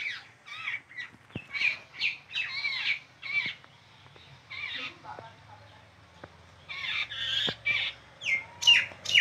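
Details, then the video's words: Chick begging while its mother feeds it: a fast run of harsh, scratchy squawks that come in uneven bursts about twice a second, with a short lull midway, then resume loudly, over a low background rumble. "Bird mom feeding his baby"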